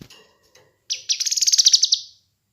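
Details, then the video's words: Kinoi bird song for training and luring birds: a few faint soft notes, then one bright, rapid, high trill of about a dozen pulsing notes lasting about one second, ending cleanly. "Masteran Dan Pancingan Burung Kinoi"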